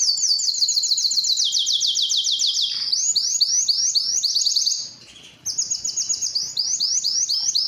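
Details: Male canary singing to attract females for breeding: a loud, high, continuous song of rapid trilled and rolling phrases, pausing briefly before resuming.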